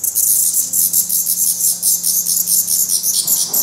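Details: Black redstart fledglings at the nest in Portugal, still downy on the head after first flight attempts and still fed by parents; a dense, very high, hissing chorus of rapid chirps pulses almost without pause.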